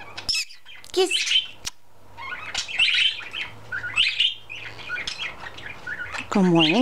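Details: Pet budgerigar's morning chatter, with other budgies responding: bursts of warbled, scratchy chirps and squeaks, then a rising harmonic squawk near the end. Kissing noises, mimicked words and random quacking sounds are mixed in.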